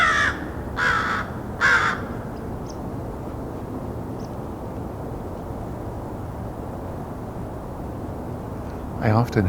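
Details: Three harsh, nasal caws from an American Crow close by in a white spruce grove beside a white pine forest during a winter Christmas Bird Count, about a second apart, capturing quieter crow sounds; a brief human voice ends it.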